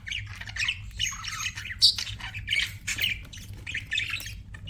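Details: Budgies chattering in a steady run of scratchy squawks and bright chirps, bursts coming roughly once a second, shrill and buzzy, over a faint low hum.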